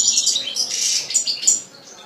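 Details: Bright, high twittering phrases from a kept European goldfinch, a quick jumble of chirps and short trills over about two seconds.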